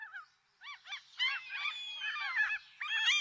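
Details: Gulls giving overlapping arched, nasal cries in irregular bursts, building into a louder stretch of several birds calling at once.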